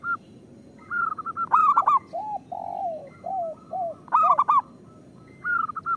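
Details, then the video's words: Local zebra dove in strong voice, its cooing used as a lure to prompt other zebra doves that are reluctant or moulting to sing. Bursts of quick, bubbling, rolling coos alternate with softer, lower drawn-out coo notes, the phrase repeating twice. "Perkutut lokal gacor Suara Pancingan Paling Disukai Burung Perkutut"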